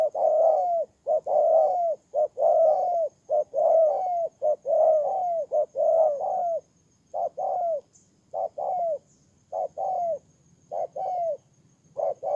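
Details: Ground decoy spotted dove in Kon Tum, Vietnam, recorded 23 September 2018. Dense runs of soft, downslurred coos crowd together at first. After a short pause they settle into clear pairs: a brief note, then a drawn-out falling coo.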